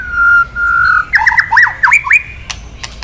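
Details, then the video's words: Male White-rumped shama, excited by kretekan lure calls, sings: two long steady whistles, then a rapid run of looping, up-and-down whistled notes and a few crisp high ticks. "Suara KRETEKAN BURUNG MURAI BANGKITKAN EMOSI MURAI JANTAN KELUARKAN ISIAN! MURAI DIAM JADI NYAUT"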